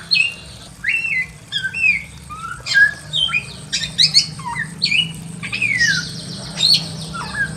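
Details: Caged Pekin robin in a simple aviary giving a varied warbling song of short whistled slurs and quick chattering notes, tumbling phrases spaced about a second apart, low hum behind.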